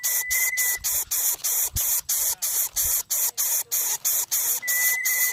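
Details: Three greater coucal chicks in the nest beg greedily with harsh, breathy hisses, about three bursts a second in a steady rhythm; a thin, high whistle-like tone sounds briefly at the start and end.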